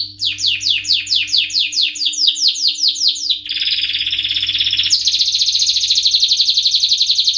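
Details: Male canary singing in high excitement: a fast series of about fourteen descending high chirps, then a long buzzy rolling trill, then a loud rapid high trill, all very high-pitched with a faint steady low hum beneath.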